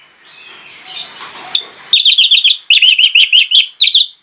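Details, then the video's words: An orange-headed thrush sings a rapid string of high, sweeping, whistled notes, two or three per second, after an opening stretch of steady hiss, song used as a lure to prompt other orange-headed thrushes to sing. "ANIS MERAH PLONG NGOTOT BONGKAR ISIAN"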